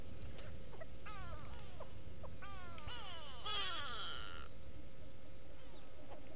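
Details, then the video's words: Several go-away birds at Gowrie dam, Djuma Game Reserve, Sabi Sand, South Africa, 6 June 2018: repeated falling nasal calls building into a louder, rasping, overlapping chorus before fading back to single notes. "Go-away birds with audio"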